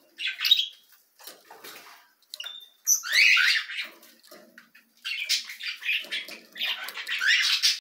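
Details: Canary chicks begging while being fed: loud clusters of high, scratchy chirps and squawks coming in bursts, with a brief clear whistle-like note partway through and quieter gaps between feeding bouts.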